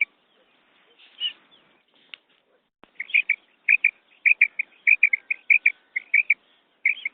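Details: Female quail calling, as used to attract birds when hunting. After a few faint rustles and clicks, bright clipped notes follow in a rapid, uneven series of doubled chirps through the second half.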